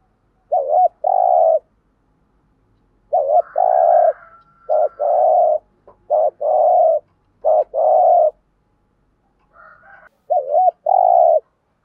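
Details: Lure spotted dove's morning flock-calling coos. Five phrases, each a short looped note then a longer steady hollow coo, are spaced one to three seconds apart. A faint higher chirp is heard near the end.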